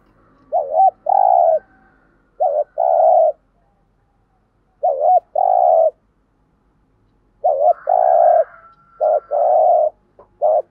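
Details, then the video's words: Spotted dove giving cu gáy coos in the thúc gù and gáy gọi styles: three bursts of low, mellow, hollow coos, each a short stuttering note followed by longer droning notes, with faint chirps overlapping the last burst. "tieng chim cu gay gu thuc gay gọi/ cu cườm bài bản"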